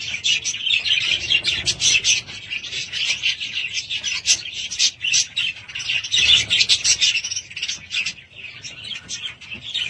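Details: Budgerigars kept at home produce ten seconds of dense twittering, quick clicks and warbled chirps overlapping in a lively, unbroken flock chatter.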